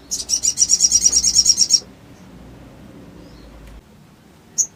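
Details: Sooty-headed bulbul stirred by an emotion-provoking recording, delivering a fast rattling trill of about fifteen high ticking notes, then near silence broken by one short sharp chirp.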